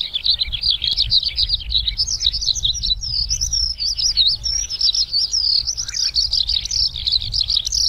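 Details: Eurasian skylark singing passionately on the ground, filmed a month earlier: an unbroken, high, fast warbling stream of chirps and trills running without pause.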